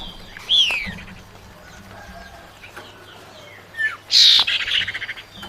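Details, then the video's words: Female common iora calling for the male, used as a lure: a sharp downslurred whistle opens, then quiet, then a loud harsh burst trailing into a fading pulsed rattle. "suara pancingan burung cipau betina panggil jantan"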